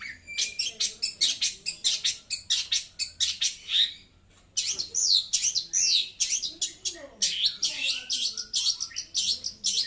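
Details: Long-tailed shrike singing loudly and clearly: dense, harsh, broadband chattering notes in rapid bursts, a short pause around four seconds, then twisting buzzy phrases and more rhythmic scratchy calls.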